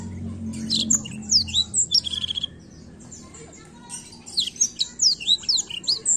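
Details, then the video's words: Rolling continuous song of a Black-throated canary meant to provoke young birds into singing: bursts of thin, fast, down-slurred high twitters broken by a short quiet gap, with a faint low hum early on. "Blackthroat gacor ngerol ampuh pancing emosi blackthroat muda"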